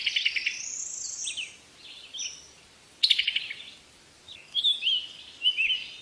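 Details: Bird singing with buzzy trilled bursts, short whistled phrases and sliding chirps, spaced by quiet gaps over a soft background hiss.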